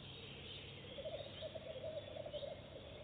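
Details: Goosander at a nest box on its first visit, laying eggs straight away; one low, rapidly pulsed rattling croak about a second and a half long, set against a constant droning background hum.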